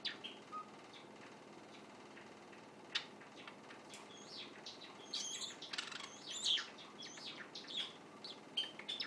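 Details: A white Java sparrow chick kept indoors, secretly recorded as it practises its song: quiet, hesitant high chirps and clicks, scattered at first and then bunching into a busier twittering burst toward the end, with faint fluttering.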